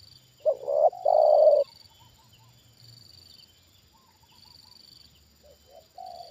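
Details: Spotted dove kept as a trained decoy, calling while a wild bird is brought down a second time: a loud burst of two short coos and one drawn-out coo, then quiet, then a fainter distant coo phrase. Steady high whine behind.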